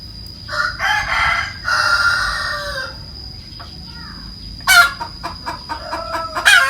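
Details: Hen cackling in loud raspy bursts, two long squawks followed by a quick run of short clucks and a final harsh cry, with a steady faint high-pitched whine behind.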